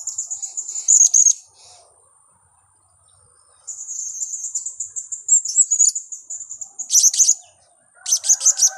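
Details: Blue-crowned hanging parrot lure call used for trapping: long stretches of continuous high, thin twittering broken by sharp bursts of rapid high chirps, with a pause near the middle.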